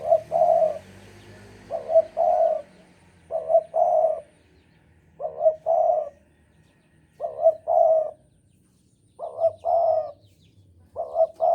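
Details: Javan spotted dove singing nonstop in strong breeding mood, six evenly spaced phrases of soft stuttered notes ending in a drawn-out purring coo, roughly one every two seconds, in a quiet setting.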